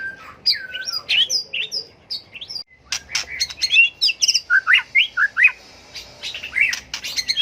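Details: Competitive fighting song of a tail-flicking White-rumped shama for training birds: sweet slurred whistles, a short silence, then crisp clicks and a string of quick rising whistled notes repeated rhythmically.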